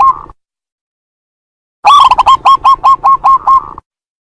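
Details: Zebra dove, called perkutut, singing in a training (masteran) recording: one brief note, a silence of about one and a half seconds, then a quick, even string of around ten punchy, hooked coo notes.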